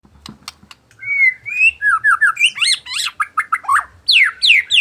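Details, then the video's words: White-rumped shama singing in the afternoon: after soft faint notes, a rich run of loud whistled phrases, slurred up and down, with rising sweeps and quick chirpy notes in rapid succession. "merdunya suara burung muray di sore hari"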